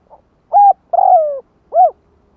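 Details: Spotted dove calling as a lure for other doves: a faint short note, then three clear low coos, the middle one long and slightly falling, over a silent background.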